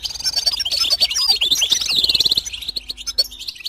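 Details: Goldfinch song from a tape used to teach chicks and motivate songbirds to sing: rapid high twittering with quick slurred notes and trills. A brief warbling phrase rises near the middle, then the song fades to scattered chirps.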